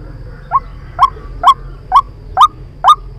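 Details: White-breasted waterhen lure call used for trapping: loud, abrupt notes that rise and bend, repeated about twice a second in a steady rhythm, six notes over quiet low background hum.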